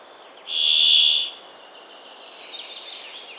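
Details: Brambling giving one drawn-out, nasal buzzing note lasting under a second, level and harsh, followed by faint, quick twittering chirps from other birds in the background.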